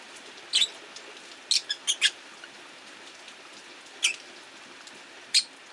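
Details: Five caged rosy-faced lovebirds beside a window with rain falling outside, an orange-faced bird vying for perch position; sharp high chirps, a quick run of three, then single chirps over steady rain-like hiss.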